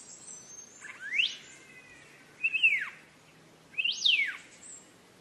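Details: Green leafbird song used to train cage birds: a thin high whistle, then three strong slurred notes, each rising sharply before sweeping down, spaced roughly 1.3 seconds apart, with little background noise.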